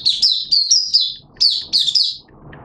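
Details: Hobby-kept Malaysian white-eye in open 'buka' singing, 21 June 2023. Two quick bursts of high, slurred, descending twitters, separated by a brief pause, over faint low room noise.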